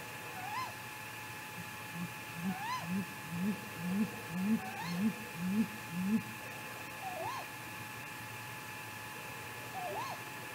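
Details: Great grey owl at night, 3:58 am on 15 May 2018, Mission Valley, possibly in a confrontation: about nine deep, soft hoots over four seconds, with higher rising-and-falling whistled notes every few seconds and a faint hum.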